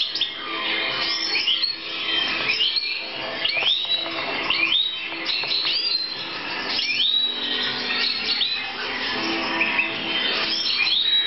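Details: European goldfinch (Carduelis carduelis) in a 2014 breeding context: a fast, continuous tinkling twitter of bright, liquid notes and short buzzy trills, with other finches possibly chattering alongside.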